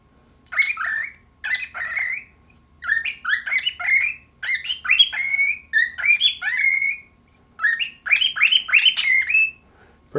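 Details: A pet cockatiel chatters to a plate held up to him, in quick bursts of warbled, squeaky notes with short rising and falling whistles, while being encouraged with "pretty bird".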